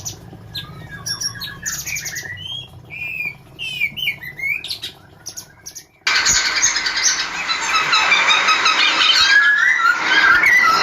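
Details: Female sooty-headed bulbuls kept caged in Semarang, Indonesia, give quick whistled and slurred notes for about six seconds, then a loud broadband rushing noise drowns everything out.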